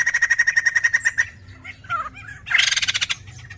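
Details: White-crested Laughingthrush in full song, used as a lure to prompt other birds to sing: a fast run of about a dozen even, ringing notes, varied whistles, then a loud, harsh, chattering burst.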